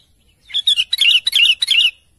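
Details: Sooty-headed bulbul calling to its companions: a quick run of bright, chirpy notes with buzzy edges, about five grouped bursts over a second and a half, then silence.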